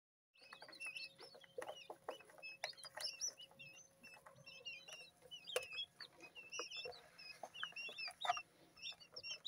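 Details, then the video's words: Newly hatched quail chicks, a few hours old and still wet from the incubator in a brooder, giving many overlapping high thin peeps and twittering chirps, with clicks and knocks throughout and a steady mechanical hum. "Just Hatched, STILL WET from INCUBATOR Quail Chicks"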